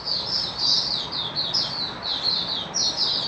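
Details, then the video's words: Malaysian white-eye singing 'buka' style in Singapore during stable warm sunny weather, 20 March 2023: continuous high warbled notes half buried under steady loud hiss. "Malaysian Mata Puteh Happy Buka Sing"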